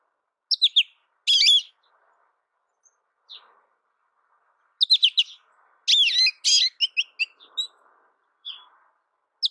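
American goldfinch song: bright, twittering phrases of quick high notes and sweet warbles, given in two bursts with short pauses between.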